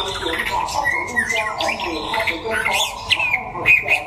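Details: White-rumped shama from Đắk Lắk, Vietnam, in a singing contest while sunning: loud, varied whistled phrases with quick rising and falling notes and sustained high whistles, over a steady murmur of background noise.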